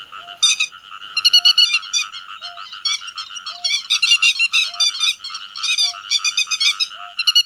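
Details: Grey-headed lapwings calling together to gather the flock, a lure for netting: a steady chatter of buzzy, rasping notes, louder bursts in the middle, and a faint, low tone about every 1.1 seconds.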